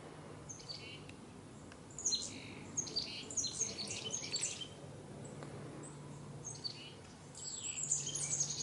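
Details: Chickadees calling from colorful autumn trees in fall 2021: scattered high, thin chirps and short buzzy notes in loose bursts, with a faint low steady hum underneath.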